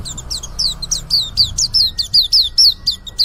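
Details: Young white-eye just beginning to sing: a quick series of high, thin whistled notes, each sliding downward, repeated roughly every quarter second with short gaps, over faint low background hum.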